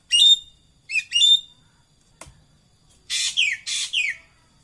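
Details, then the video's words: Racket-tailed treepie calls: two buzzy notes carrying a clear whistled tone, then four harsh, rasping notes that slide downward in quick pairs, with a faint click between the groups. "tembakkan suara burung ekek Keling"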